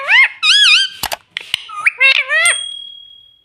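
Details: Pet parrot in an indoor room speaking, said to call "mummy" and "papa": harmonic, wavering voice-like phrases with rising and falling pitch, a few sharp clicks in the middle, then a thin steady tone fading out.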